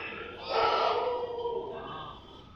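A flock of ducks quacking together in a loud, harsh, overlapping chorus that swells and then slowly fades over a couple of seconds.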